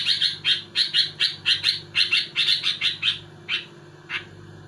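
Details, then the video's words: Sooty-headed bulbul provoking other bulbuls: a fast, regular string of paired chirps, about two per second, that slows and fades into two final single notes, with a faint hum behind. "Suara burung kutilang gacor muntahin isian tembakan rapat menekan lawan bikin kutilang lain emosi"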